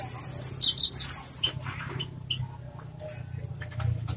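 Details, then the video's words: Oriental skylark, a loud singer, giving a rapid run of high, sharp chirps and twittered notes in the first second and a half, then a few scattered higher notes over a steady low hum. "branjangan suara keras"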